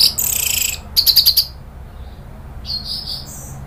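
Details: Orange-headed thrush recorded in Indonesia as a lure to provoke an agitated bird: a dense high chatter, then a quick run of four or five sharp high notes, then softer sustained high tones.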